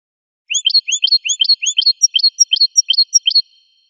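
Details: American goldfinch song from a wild bird, a brisk, evenly paced string of roughly seventeen high two-part chirps over three seconds, clean with no background noise.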